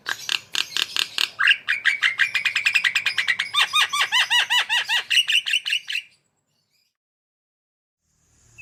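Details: Javan myna in full song for cage-bird training: a fast rattle of clicking notes runs into a long series of repeated arched, whistled phrases, then stops into silence.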